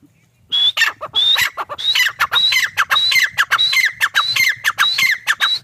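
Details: Teetar, or grey francolin, calling steadily. A quick series of shrill phrases repeats roughly every half second, each phrase a high rising whistle followed by a descending, harsh double note. A slight low rumble sits underneath.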